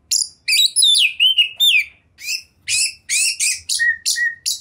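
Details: Oriental magpie-robin (kacer), a champion bird in 2021, singing a rich, chatty song full of varied material: sharp rising and falling whistles and buzzy sweeps. Bursts come in quick succession, ending in short steady whistled notes, over faint low thumps.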